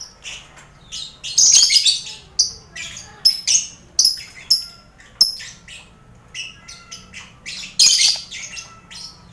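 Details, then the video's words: Lovebirds in a busy colony aviary shared with finches and quail, kept as mental training for contest birds; harsh, shrill chirps and squawks burst out in irregular clusters, with several loud overlapping screeches near the start and end. "Sound Koloni Lovebird"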